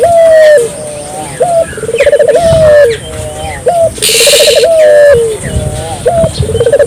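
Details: Repeated cooing of a Barbary dove, intended to provoke local doves into calling. Each phrase has a short clipped note, a rippling run of pulses and a long coo dropping at its close, roughly every two to three seconds. Occasional noise bursts.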